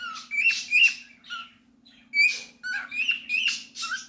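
A cockatiel gives a burst of short, harsh chirps and whistled notes, rising and falling in quick succession.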